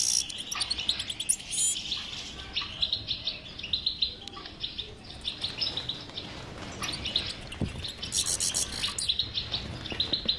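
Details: European goldfinch singing in the batbata style, used to prompt a mute goldfinch to sing: bubbling twittered phrases in bursts, some piercing high jingling trills, brief pauses between runs.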